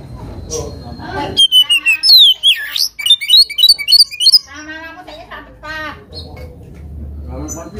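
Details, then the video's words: Oriental magpie-robin singing against a rival: loud, fast whistled phrases with steep swoops and quick repeated notes for about three seconds, followed by softer buzzy trills and faint background sounds. "KACER GACOR BIKIN EMOSI LAWAN,PANCINGAN KACER EMOSI BIAR NGOBRA"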